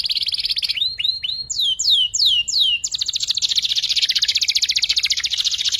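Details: Canary youngster practising ngeriwik, played as a lure and tutor for magpie-robins and shamas: a brief trill, three rising whistles, four steep downslurred notes, then a long loud rapid trill pulsing evenly to the end.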